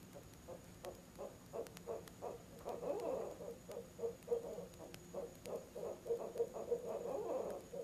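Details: Barred owl and mate hooting at a nest box, 7 pm on 18 October, an out-of-season visit: repeated low hoots, fainter at first, with overlapping wavering calls from the second bird.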